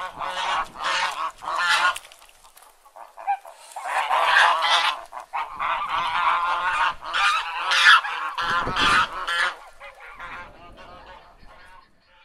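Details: Domestic white geese honk in loud, nasal bursts, several birds calling over one another in overlapping, harsh blasts with brief pauses between.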